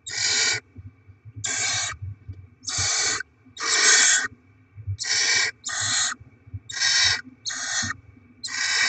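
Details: Feeding of barn owl young with rodent deliveries, 7 February 2024: regular harsh hissing screeches, each about half a second, repeating roughly every second over a faint low hum.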